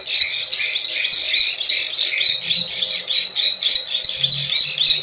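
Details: Lure call of the plain prinia, 'klik klik ciwah' style: fast, overlapping buzzy chirps about three per second with thin high clicks above, plus a short low grunting noise midway and near the end.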